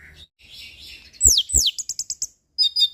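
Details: Orange-headed thrush song recorded to train captive birds: two loud, sweeping downslurred whistles, then a quick string of short high notes, and after a brief pause a final pair of high notes.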